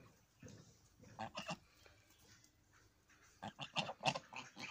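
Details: Goose in the evening, uttering two separate clusters of short, nasal honks, each a rapid run of three or four notes, with quiet gaps and faint background noise between.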